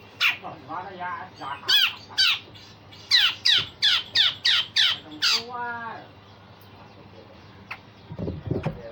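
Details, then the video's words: Grey-cheeked bulbul song with coarse rasping and sharp notes, used as a tutor for other songbirds: dense run of harsh buzzy bursts and a descending chatter, then quiet with low rumbling noise at the end. "Cucak jenggot Besetan Kasar dan Tembakan Tajam"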